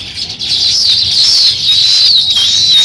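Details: Sparrow chirping during the start of nest building, an unbroken loud high twitter with wavering thin whistled notes running through it.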